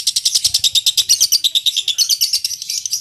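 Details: Fast, harsh chattering from a lovebird, a master recording for preparing contest birds: rapid high pulses, slightly slowing and blurring into a buzzy run toward the end.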